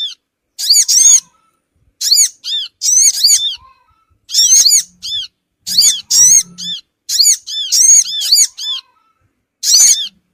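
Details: Sogon bird lure meant to gather small birds fast: repeated thin, squealing arched notes in doubled and tripled bursts, irregular pauses between them, and a light hum in the background.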